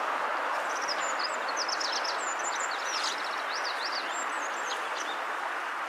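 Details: Eurasian tree sparrow at a riverbank, calling as the sun sets: a lively run of quick high chirps and twittering notes, several per second, almost continuous over steady rushing background noise.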